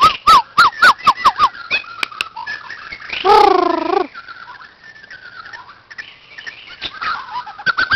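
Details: White-crowned shama at a playground opening with a rapid series of bright whistled notes at about four per second, interrupted by a loud, harsh, harmonic sweeping sound, then quieter scattered warbles and whistles.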